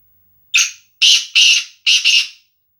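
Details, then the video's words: Black francolin male, the trained kala teetar, giving its Sindhi nasal call: four strident, buzzy notes in quick series, opening short and clipped, the later ones drawn out and the last broken in the middle, against total quiet. "Kala Tetar !! Sindhi nasal kala teetar !! Black francolin"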